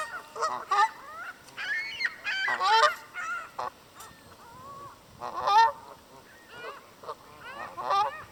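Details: Canada goose honking along a lake shore in Southern Ontario, Canada, recorded at close range: loud, nasal honks with bending pitch, given in irregular bursts separated by short pauses.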